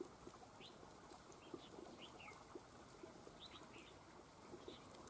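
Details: Wild red-whiskered bulbul, a big-throated, fierce bird, fighting a decoy bird at a trap and returning to fight after the trap missed. It gives short, sharp chirping notes in small bursts over steady outdoor hiss.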